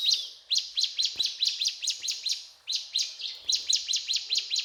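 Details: Ciblek gunung, a mountain tailorbird, singing actively: sharp, high notes repeated quickly in two short runs split by a brief pause, in the cetrakan style.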